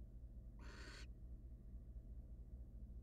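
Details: Wild barn owl at a monitored nest box as the male stops by his mate with prey for a short rest; a single harsh, broadband hissing screech about half a second long over a steady low mechanical hum.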